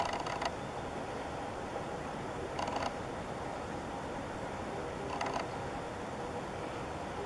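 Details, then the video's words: Darjeeling woodpecker drumming near Gorkhey, Singalila National Park, Himalayas, in May: three brief, rapid rolls about two and a half seconds apart over a steady background hiss. "Drumming Darjeeling Woodpecker"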